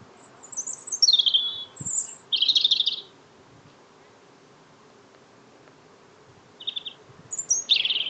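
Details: Small bird singing in greeting after work: high buzzy trilled phrases with a sweeping descending start, separated by several seconds of quiet, then a short trill and a final buzzy phrase.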